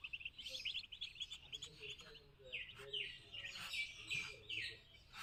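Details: Farm-raised Muscovy duck chicks in Kamrup, Assam: dense, high-pitched peeping that runs continuously, with quick rising and falling chirps overlapping from several birds and a faint low murmur underneath.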